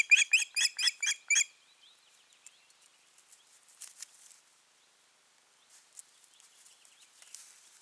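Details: Osprey pair at the nest, 14 June 2019, in a failed breeding season; seven fast, piercing whistled notes in under two seconds, followed by faint scratching and rustling.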